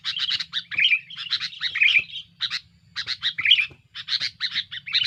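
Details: Sooty-headed bulbul, noisy and active, pressuring rivals as a lure call: dense scratchy chatter with interwoven short whistles, in phrases broken by brief pauses, over a faint low hum.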